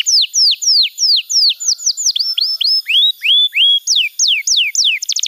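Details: Canary song used to train young canaries, a lively sequence of clear descending whistles and a few rising swoops, delivered at a steady, rhythmic pace.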